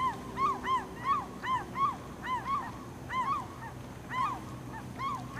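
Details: Glaucous-winged gull at Campbell River, BC, in April 2007, while slowly swallowing a starfish, gives nasal, arched calls in quick, uneven bursts of two or three, about one and a half a second, over a low background rumble.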